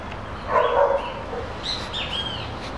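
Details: Neotropic cormorants in an "invasion" flock at Campos dos Goytacazes, Rio de Janeiro, Brazil: a brief, hoarse, guttural grunt, followed by a few thin, higher whistled notes from another bird.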